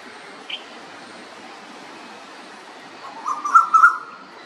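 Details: An Asian koel sings one loud, clear, rising note in the background while a common iora feeds on a caterpillar, over steady hiss with a faint chirp early on; Pune, Maharashtra, India, November 2023.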